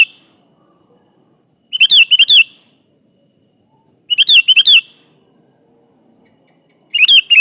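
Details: Sooty-headed bulbul (kutilang) in full song meant to call a rival: three separate bursts of quick, bubbly warbled notes, each about half a second long, spaced roughly two to three seconds apart.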